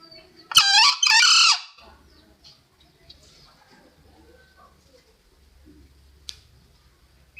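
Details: Crow of a green junglefowl meant to lure birds for trapping: a harsh, rasping double burst, short then drawn out, then near silence with low hum and a single click.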